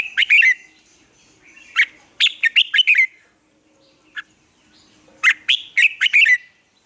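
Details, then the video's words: Red-whiskered bulbul singing for morning song training of caged birds; loud clusters of sharp, ringing chirps separated by short gaps, with a lone soft note in the middle pause. "Luyện chào mào hót sáng, hót hay"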